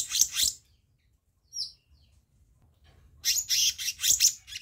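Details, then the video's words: Black-naped monarch, a recording made to train and lure other birds: a burst of harsh, high buzzy chatter, a lull with two brief thin whistles, then longer scratchy chattering bursts. "Masteran/Pancingan Kehicap Ranting"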